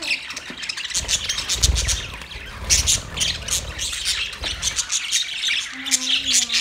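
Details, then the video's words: Budgies in courtship squawk and chirp harshly in quick runs, with low thudding noises in between and a short, steady, lower hum near the end. "Parrot mating sound"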